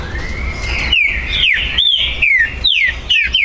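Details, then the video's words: Trinca-ferro (green-winged saltator) kept by an amateur breeder, recorded 19 September 2020. Its song sparks territorial disputes. A quick phrase of about seven bright whistled notes that rise and fall, delivered almost without pause. "ESQUENTE MUITO seu TRINCA FERRO"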